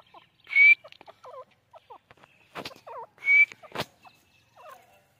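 A grey partridge gives two loud, harsh, creaky calls nearly three seconds apart, with softer chirps and clicks in between.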